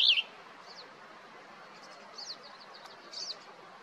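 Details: A male Western tanager calling for his mate gives one sharp, high note, then a few fainter high chirps that trail off over the next three seconds against a quiet background.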